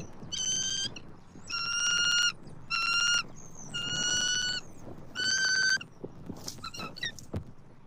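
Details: Wild bald eagle pair at a Southwest Florida nest, October 29, 2024, as the male brings food gifts to the female. Five bursts of high, piping, harmonic chattering notes about a second apart, then softer chips.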